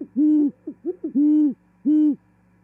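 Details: In Charlo, Montana, January 2021, a female great horned owl arrives at an osprey nest and the pair sings and mates; three long deep hoots alternate with shorter, higher overlapping notes from a second owl.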